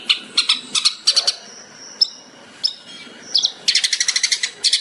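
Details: Long-tailed shrike (cendet) singing in the 'tembakan' style, a master recording for training songbirds: bursts of sharp, high chirps in quick runs, broken by thin whistled notes, ending in a rapid rattling series.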